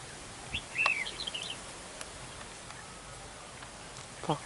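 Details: Red-whiskered bulbul decoy in a territorial fight at a trap on a very windy day, delivering a rapid burst of chirpy whistled notes, followed by wind and rustling noise.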